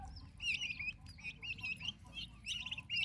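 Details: Turkey chicks kept with their mother, several babies calling in quick wavering high-pitched peeps that overlap densely, with a low continuous hum beneath.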